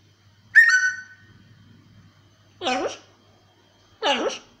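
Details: Indoor pet blue-and-yellow macaw gives a sharp, rising whistle, then, after a pause, two short nasal, squawky syllables spaced about a second and a half apart.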